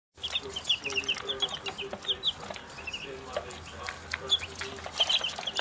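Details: Pekin bantam chicks, raised from eggs in a primary school classroom, on their first day outside in the sunshine: many high, thin downslurred peeps overlapping rapidly, with clicks, rustling and a low steady hum.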